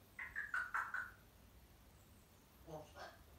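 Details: Pet male African grey parrot chattering indoors, a habit of his when left alone or when people are in another room: a quick run of clear, wavering whistled notes, then a brief throaty, voice-like sound, with a person speaking nearby.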